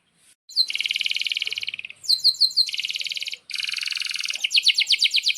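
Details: Energetic canary song used to teach young canaries: several rapid rolling trills, some buzzy and some of sharp repeated chips, separated by short pauses.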